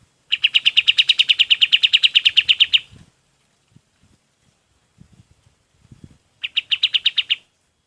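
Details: Golden-bellied gerygone song used for training other birds: a long fast trill of about twenty evenly spaced buzzy notes, then a pause with faint low taps, followed by a shorter trill.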